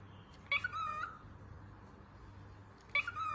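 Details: Two separate whistled calls from a pet cockatiel during peekaboo play, each starting abruptly and sliding downward, spaced about two and a half seconds apart, over a soft indoor hum.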